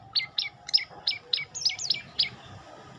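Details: Olive-backed tailorbird song: loud, clear notes repeated about every quarter second, each dropping sharply in pitch, with a few higher, quicker notes near the middle, over faint low background hum.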